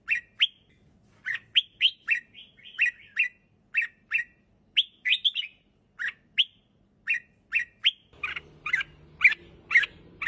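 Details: Red-whiskered bulbul, a kept songbird, repeating short sharp chirps that rise and fall, given roughly twice a second in a steady run; toward the end a low rumbling background noise joins the clear notes.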